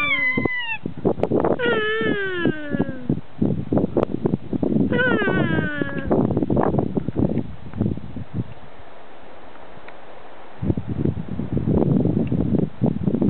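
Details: Wild kea at Arthur's Pass, New Zealand, near the Punchbowl Falls car park, calling back to a person's imitation: several falling, wailing cries in the first seconds, then dense clattering noise and rough rustling.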